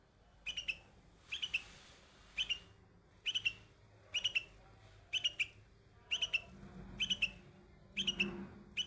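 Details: A young bulbul on white flowers repeats lively chirped phrases of two to three quick notes about once a second, nine phrases in a row, with a soft low hum toward the end.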